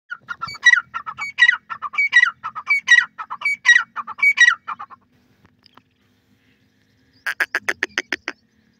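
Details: Young francolin chicks calling: a run of short, harmonic chirping notes in quick groups about every 0.7 seconds, then a pause and a fast series of sharp clipped notes.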